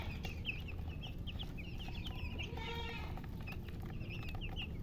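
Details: Hen-coloured chicken chirping, short high peeps in a loose series with one longer harmonic cry midway, over continuous low background hum.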